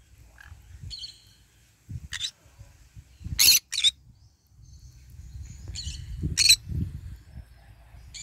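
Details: Green-cheeked conure basking and eating in the morning sun: a mix of softer tonal chirps and loud, raspy screeches, two close together mid-clip, over low rustling feeding sounds.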